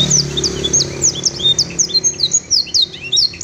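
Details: Canary taught blackthroat and sanger song: high rapid descending whistled notes, repeated quickly, heard over a louder low rumbling background noise.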